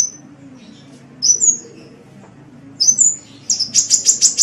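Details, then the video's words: Sunbird (kolibri) in a tutor recording for songbirds: thin, very high chirps come in short bursts, followed by a quick run of five or six sharp, high ticking notes. A low hum is heard throughout. "Suara Burung Kolibri"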